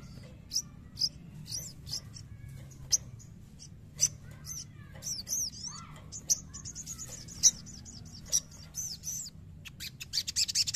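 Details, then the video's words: An untrained sogon being provoked into singing: a busy run of sharp, high chirps and quick looping whistled notes, some rising and falling, coming in bursts with short gaps and ending in a dense rapid chatter. "PANCING EMOSI SOGON BAHAN"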